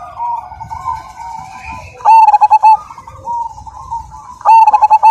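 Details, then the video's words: Majapahit-strain zebra dove, praised for a big voice and strong "kung": gentle rolling coos broken twice by loud, rapidly stuttered coo bursts, each lasting about half a second. "Perkutut Majapahit Gacor Dan Ganteng, Suara Besar,Super Kung"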